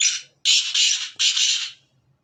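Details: Sindhi black francolin call heard in full voice: a harsh note fading out, then a run of three and two loud, rasping, grating notes, ending in quiet with a faint low hum.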